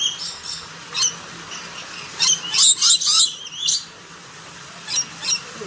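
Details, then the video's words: Rainbow lorikeet in a walk-in aviary at Palmitos Park, Gran Canaria, Canary Islands: bursts of shrill, harsh screeches and high chattering notes, clustered around the middle and repeated briefly near the end, over faint background hiss. "Rainbow Lorikeet"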